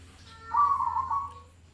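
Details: Zebra dove song for contests and daily listening: a single trembling, rolling coo of about one second that swells and then tails off, with a low hum behind it.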